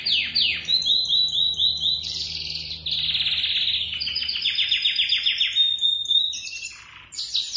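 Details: Canary in full song, alternating rapid trills of sweeping downward notes with sustained buzzy rolls and clear whistled tours, each phrase changing every second or two, loud and continuous throughout.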